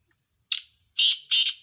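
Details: Black francolin, one of two rivals in a calling competition: a sharp, thin lead note followed by two loud, coarse, grating bursts, each harsh and high, with a quiet background.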